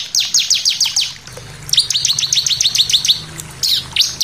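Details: Bar-winged prinia (Prinia familiaris) song used as a lure to provoke other birds into singing: quick bursts of high, thin, down-slurred notes, six to nine in each fast run, repeated after short pauses.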